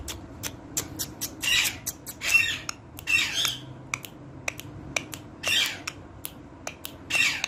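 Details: Parrot talking with repeated harsh, bright squawks roughly every second, separated by sharp clicks and snaps against a low indoor hum.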